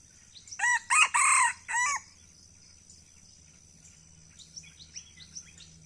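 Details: Crowing red junglefowl in Aceh moving around the camera: a single rasping four-part crow, brief and clipped at the end, followed by faint high chirps of small birds over a low steady hum.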